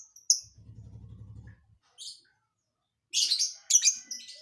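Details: Lovebird with a strange isian filler song: one high chirp, then a steady low hum for about a second, then a single burst and two harsh, dense chattering phrases near the end.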